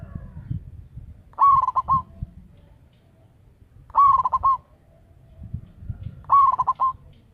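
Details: Local zebra dove valued as a loud lure caller: three evenly spaced phrases roughly two and a half seconds apart, each a sliding coo dissolving into rapid staccato notes, with soft low rumble.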